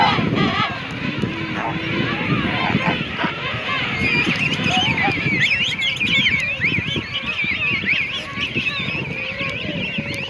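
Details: Many king penguins call at once at the Gold Harbour colony, South Georgia: overlapping warbling, wavering trumpet-like notes in a dense chorus, with a steady low rumble of wind and surf beneath.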